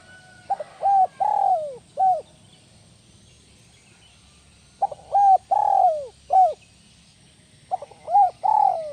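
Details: Spotted dove singing in the kuk 1 melambung style: three repeated four-note phrases of soft low coos, each with two short notes, a long drawn descending coo and a short closing note, spaced about three seconds apart over faint low hum.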